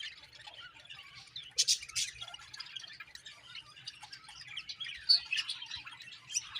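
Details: Budgies chattering in a continuous high twittering warble with scattered sharp squawks, in a quiet setting.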